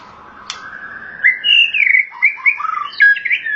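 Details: Thai white-rumped shama delivering a long whistled note followed by a rapid run of varied warbling phrases that jump between high and low pitches, with one sharp click near the start.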